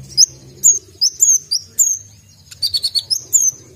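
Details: Kolibri ninja (Brown-throated sunbird) giving sharp, high whistled notes, each a quick slurred chip, spaced about half a second apart. A brief cluster of rapid notes comes near the end, over a faint low hum.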